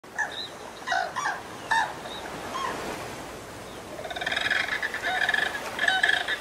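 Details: Snowy egret (Egretta thula) giving harsh, nasal croaks: a few short bursts at first, then a longer buzzy, rattling run of rapid notes.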